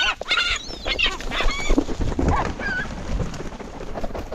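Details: Gulls crowding in for food, with several sharp harmonic squeals and mewing calls in the first three seconds, then quieter, over a low rumbling background.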